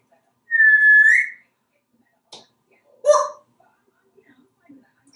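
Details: Pet male African grey parrot indoors in a Texas home, practising words in the bathroom: one long clear whistle that rises at the end, a short click, then a loud word-like squawk and faint murmurs.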